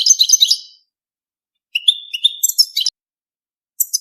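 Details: European goldfinch during mating: a rapid tinkling twitter, a pause, then a longer phrase opening with a thin whistled note and breaking into jangling high chirps, and a final brief call.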